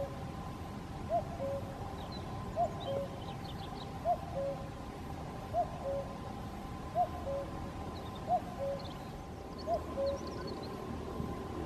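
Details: Common cuckoo heard far off at Caldones near Gijón, Asturias, Spain, 8 May 2021, repeating its soft falling two-note cu-coo seven times at a steady pace of about one and a half seconds, while small birds twitter faintly higher up over low background hum.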